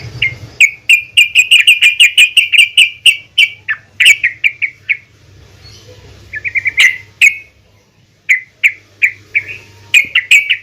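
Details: A female yellow-vented bulbul calls the male, used as a lure to get bulbuls singing: a long, rapid series of bright, evenly pitched chirps, a quiet gap, then a quick stuttering burst and slower spaced chirps, with a soft low hum.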